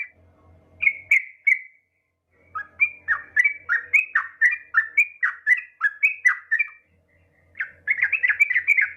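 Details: Female yellow-vented bulbul calling a male, used to encourage other bulbuls to sing: long runs of rich, bouncy gurgled notes, about four per second, separated by pauses, with a low intermittent hum.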